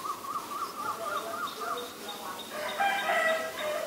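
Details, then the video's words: Common myna, Ubon Ratchathani, Thailand, March 20, 2022, recorded with a Nikon P1000: a wavering, warbling gurgle, then brief high notes, then a burst of harsh, chattering, grating calls. "นกเอี้ยงสาริกา (Common Myna)"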